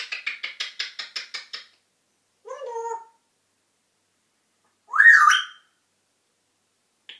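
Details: A talking, whistling African grey parrot gives a rapid run of about ten harsh clicking squawks. A brief low voice-like phrase follows, then a loud rising squawk-whistle and a final short note.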